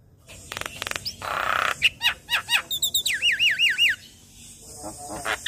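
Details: Young Javan myna in a day-long chattering song: a burst of rough noisy notes, then quick looping whistled phrases that rise and fall four times in a row, with a faint steady hiss behind.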